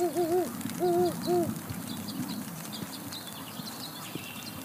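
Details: Nesting female great horned owl with three owlets at Charlo, Montana, USA, calling to her mate: two quick groups of rounded, slightly arched hoots in the first second and a half, then only rain crackle and faint chirps.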